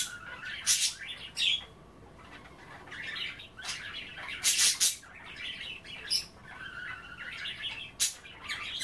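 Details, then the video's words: Budgerigars playing with kale in bath water make rambling warbled chatter with rising squeaky notes, broken by loud broadband splashes and pecking clicks. "A day in the life of a Budgie - kale bath and chattering"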